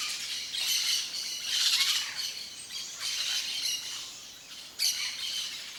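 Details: Wild yellow-faced parrot in open Cerrado country of Brazil, loud rasping squawks in several bursts, the strongest near two seconds, and a sudden sharp call near the end.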